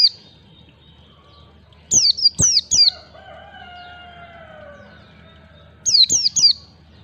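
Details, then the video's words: White-eye training song in beats of three: a triplet of high, sharp, descending whistles, a distant rooster crowing long and falling, then another triplet. "pancingan pleci belajar ngalas 1 2 3 ketukan"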